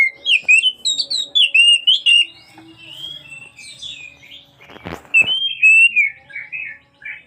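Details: Oriental magpie-robin singing continuously, calling its companion: loud varied whistled phrases with rising and falling notes in bursts, a pause midway, then a sharp broadband rattle before whistling resumes.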